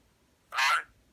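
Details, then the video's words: Pet parrot playing peek-a-boo and making a fart noise: one short, loud, raspy buzzing burst lasting about a third of a second, in a quiet room. "Parrot playing peek a book and making fart noises"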